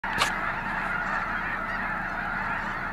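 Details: A huge migrating flock of snow geese at Gray Lodge Wildlife Area in 2022 gives a steady, roaring chorus of overlapping nasal honks and yelps, too dense to pick out single birds, with one louder burst early on.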